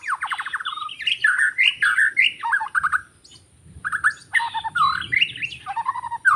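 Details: White-rumped shama singing in forest, recorded while bird trapping: rich, varied song of loud whistled notes and rapid rising and falling sweeps in dense bursts, with a short pause midway before singing resumes.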